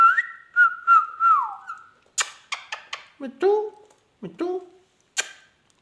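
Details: Pet ringneck parrot talking and mimicking: smooth whistled wavering tones first, then sharp clicks and nasal, cat-like meowing notes dipping low and rising, ending in a high squeak.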